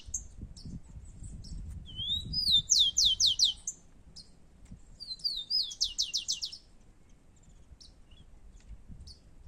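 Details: Two rufous-collared sparrows competing outdoors: a thin upslurred whistle followed by a fast series of bright, high, descending notes, then a second similar phrase answers about two seconds later. Faint chips sound between phrases.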